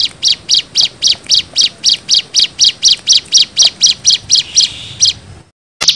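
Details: Bar-winged prinia song played as a lure and for training: a long, even series of high piercing chirps, about four per second, ending in sudden silence before another note starts.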